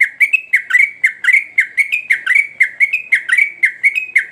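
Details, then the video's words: Sooty-headed bulbul in lively, full song: rapid run of short, slurred whistled notes, about four per second, each dipping then steadying at a bright mid-high pitch, repeated steadily for over four seconds with no other sounds. "Burung Trucuk Gacor"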